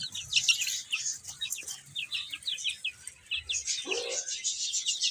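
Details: Baby chickens eating and playing, giving a dense stream of high, short, downslurred peeps, many overlapping in quick succession, with a brief pause near the middle before the chirping resumes.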